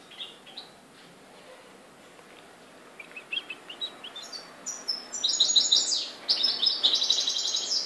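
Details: European goldfinch, Morocco, 4 December 2013: soft, faint scattered chips build into loud, rapid tinkling song from about five seconds in, with sparkling high trills and buzzy rattles.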